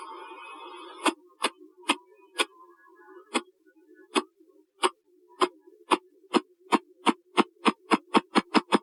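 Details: A male Ruffed Grouse drums his wings on a hollow tree, a display that attracts hens and advertises territory: deep, hollow thumps, slow and uneven at first, then speeding into a quick run of beats.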